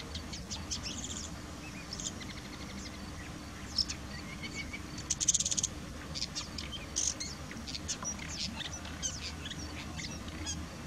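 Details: Woodchat shrike, called bouares or boulhenni locally, in song at Chekfa in Jijel: a long, dense run of scratchy clicks, buzzy bursts and brief high whistles with a louder chattering burst midway, over a faint steady hum.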